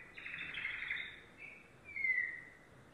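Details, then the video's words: Domestic canary, yellow, sings a buzzy rolling trill, pauses briefly, then adds a clear whistled note that slides gently downward. "canary singing"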